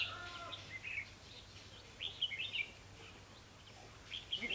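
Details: At a bulbul trap with a decoy bird, 28 October 2016, red-whiskered bulbuls give quick rising and falling warbled phrases in two or three bursts, separated by quiet gaps with low background noise.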